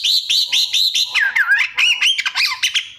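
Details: Kacer, the Oriental magpie-robin, in continuous 'isian' song: a series of evenly spaced high whistled arches, followed by dipping slurred notes and fast jumbled chattering.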